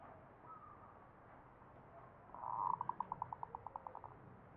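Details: Zebra dove song in the ngepat style of the Mataram Jogja tradition. A quick run of about a dozen clear, evenly spaced pulsed notes rises out of steady background hiss, slowing and fading toward the end.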